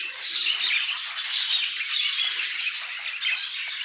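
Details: Pet budgies in a dense flock chorus: continuous busy high chattering and squawky warbling, overlapping calls from many birds with no pauses.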